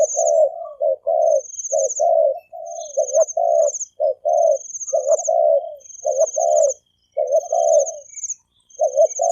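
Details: Spotted doves, male and female, giving thổ kim coos to provoke wild doves: low hollow notes in uneven phrases, with drawn-out high buzzy trills sounding almost constantly above.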